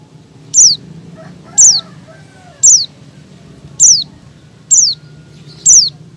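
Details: Oriental white-eye female in breeding condition, calling males: six crisp, very high chirps each slurring quickly downward, repeated at a steady pace of about one per second, with faint low murmuring behind.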